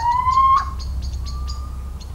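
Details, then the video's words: In rural central France on 17 March 2019, a Little owl utters a clear upslurred whistle lasting about half a second, then a quieter level note, with brisk high-pitched clicking chirps throughout. "CHEVÊCHE d'Athéna/Chouette chevêche/Chant et Cris !"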